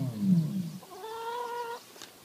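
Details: Common ostrich, a male named Oscar, claiming his territory: a deep, booming rumble for under a second, followed by a steady, higher, nasal tone that holds for about a second.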